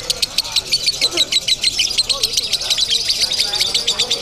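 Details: Contest lovebird in Bandung, described as 'konslet crazy', delivers nonstop shrill chirps at a fast, slightly uneven pace of roughly two per second and faster, while spectators speak nearby.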